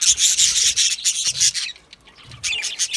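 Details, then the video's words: Australian budgies singing in an aviary colony: fast, bright, raspy chirps in quick succession, a brief pause, then another run of high scratchy twitter. "Australian Budgies Singing and chirping sounds"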